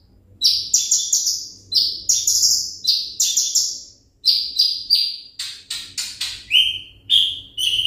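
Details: Olive-backed sunbird (konin, ringgit type) singing rapid clusters of high, piercing whistles in short bursts, the later notes dropping lower in pitch.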